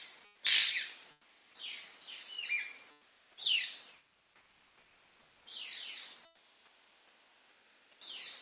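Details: Male manakins (saltarín barbiamarillo) calling at a lek to attract females, western cordillera. A loud dry wing snap opens, then a run of buzzy, descending high calls in bursts about every second or two, with further snaps mixed in.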